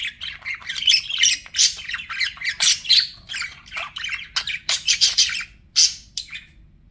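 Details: Budgerigar chatter from pet birds, rapid scratchy warbling mixed with sharp squawks and clicks, loud bursts roughly twice a second, with a low background hum.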